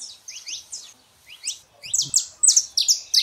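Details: Saffron finch male and female singing to warm up a quiet canary; a few hesitant high chirps, then a loud, accelerating string of sharp, bright notes in quick succession.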